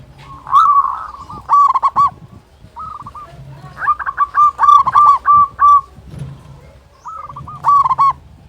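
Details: Zebra dove of a local strain, said to sing loudly and often and used to coax silent doves into song: groups of quick, clipped cooing notes repeated over several seconds with short gaps and faint low hum.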